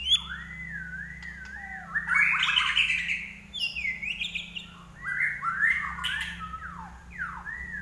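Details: Common iora in 'gacor' song: wavy looping whistles, a dense burst of sharp high notes, and more slurred whistled phrases that rise and fall, delivered in uneven bursts.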